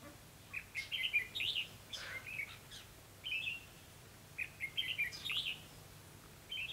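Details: Red-whiskered bulbul kept as a trapping decoy, recorded 28 October 2016; lively warbled whistles in short repeated phrases, several bursts separated by brief pauses, over low steady background noise.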